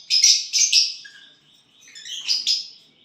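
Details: Violet bird, said to sing and chirp on getting a partner, gives three quick buzzy high chirps, a soft pause, then two more rasping chirps.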